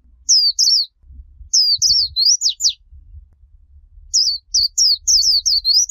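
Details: Líu chòe style song of a Japanese white-eye, played for young birds to learn: thin, high twittering phrases of quick slurred notes in three bursts, with faint low rumbling noise between them.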